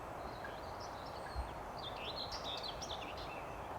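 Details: Common whitethroat singing at a new birding site near a motorway with much background noise. It gives a brief, loud, scratchy, hurried warble of high jumbled notes over a steady low rumble.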